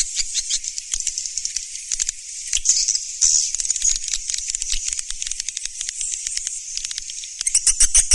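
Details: High, buzzy twittering of swiftlets in the "Surya Mentari" style, a rattling mass of rapid clicks and chirps that swells in the middle and grows louder and sharper at the close.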